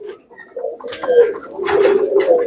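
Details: Pakistani teddy pigeon chicks newly brought home, indoors: a continuous low cooing drone with faint overtones runs throughout, punctuated by several loud rustling or flapping bursts.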